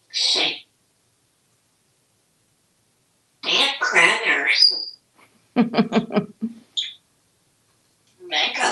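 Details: Talkative pet African grey parrot, male, kept in a home in Texas, makes bursts of harsh, speech-like sounds, a rapid series of clipped clicking notes, and a short high squeak.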